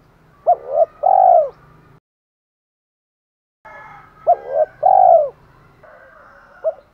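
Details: Spotted dove challenge calling and calling to hens. Paired mellow coos, a short note and then a longer falling one, are repeated twice around a cut to silence. A faint single coo closes the clip.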